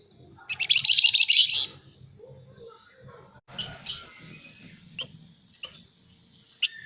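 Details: Scaly-breasted munia in lively 'nyerecet' chatter, kept for tutoring and prompting other birds: a loud buzzy rattling burst of about a second, then shorter scratchy notes and thin chips, with a faint low hum behind.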